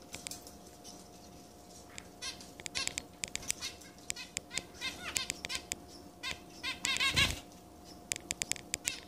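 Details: Zebra finch chicks begging while being fed by parents in a shared cage holding three pairs, broods aged 18 days, one day and newborn; dense bursts of rapid high squeaky begging notes with wing flutters and cage rustling.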